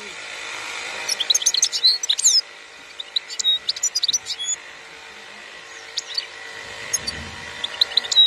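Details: 2021 recording of European goldfinch song in the khalwi style: two bursts of fast, high twittering with thin whistles, a quiet stretch, then sparse chirps and a drawn-out whistle, with a steady hum beneath.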